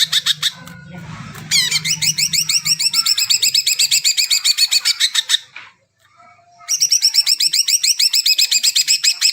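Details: Greater green leafbird song for drawing out birds that have not sung yet: quick repeated notes, then long runs of rapid upslurred chirps at a steady fast pace, broken by one short pause, with a low hum early on.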